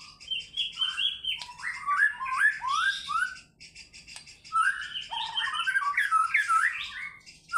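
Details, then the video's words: White-rumped shama pouring out varied song fills in fighter style: bright whistled phrases and quick rising slurs, a short lull near the middle, then another rich, fast burst of notes. "MURAI BATU GACOR FIGHTER BONGKAR ISIAN"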